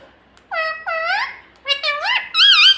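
A parrot speaks in clear, high, nasal syllables, words like "mummy" and "papa" with rising and falling inflections, over a quiet indoor background.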